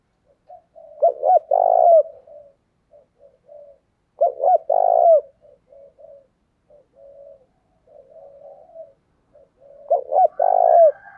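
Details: Decoy spotted dove in Vietnam, cooing hard and urgently to draw and provoke wild doves. Three loud bursts of mellow, low coos come several seconds apart, each a quick run of strong notes, with soft murmuring between them.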